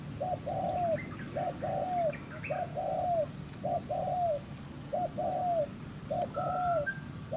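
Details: Wild-caught spotted dove with fine neck spotting, cooing quickly 'gù xiết' style: six regular phrases, clipped note then a curving falling coo, while another bird whistles faintly and brief chirps sound above a low rumble.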